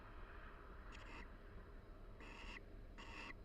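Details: A barn owl pair chats quietly inside a University of Florida nest box during the breeding season while preening each other. A faint scratchy note is followed by two stronger hoarse bursts close together.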